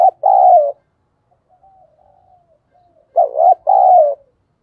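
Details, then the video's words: Spotted dove decoy giving two cooing phrases about three seconds apart, each a quavering short note and a longer, slightly falling note, with soft murmured notes between. "Chim Cu Mồi gáy gọi và Thúc Bổi hay"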